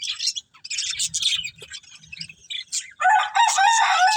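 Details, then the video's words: Budgerigars eating green food, a busy flock chatter of short scratchy chirps and warbles, ending in louder tonal whistled notes with harmonics. "Beautiful Budgies Enjoying Eating Green Food | Love Birds Chirping Sounds"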